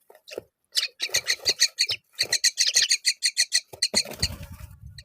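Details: Myna at the nest as she feeds fig to her young: a quick run of scratchy, rasping chirps repeated in a tight, even rhythm, ending with a low rumble of handling noise.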